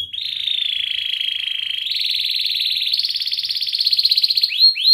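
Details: Canary ngerol singing, a training song for young canaries learning their sounds. A long, steady, buzzy rolling trill climbs in pitch in steps and ends with two quick upward-swept notes.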